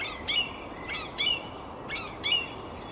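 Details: A song thrush sings in Tsaritsyno, Moscow, Russia, in May 2021: bright, clear phrases, each given twice in quick succession, about once a second, over a steady outdoor hiss.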